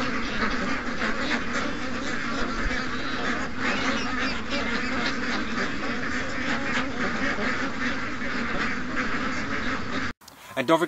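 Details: Morning rush of over 700 ducks and geese, a continuous mass of quacking and honking for about ten seconds before cutting abruptly to a brief different sound.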